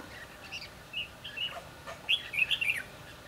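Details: During a trapping session for Red-whiskered bulbuls on 22 December 2015, scattered short whistled notes give way to a louder, quick run of bright chirping phrases near the end, over low background noise.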